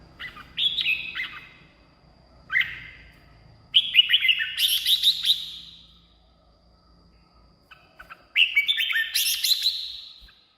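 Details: Red-whiskered bulbul song for exciting caged birds or luring wild birds: a short whistled opening, a lone note, then two long phrases of rapid chirps climbing into buzzy high flourishes, quiet gaps between.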